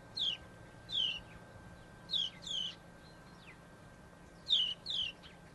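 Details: A breeding pair of house sparrows using a nest box built into a weatherboard house in an urban setting; short descending chirps, often in pairs, repeated several times with gaps, over a faint steady hum.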